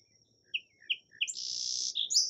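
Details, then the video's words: Song sparrow singing: a few short, sharp separate notes followed by a long buzzy trill and a closing high note, in a quiet setting. "Song Sparrow Calls and Songs"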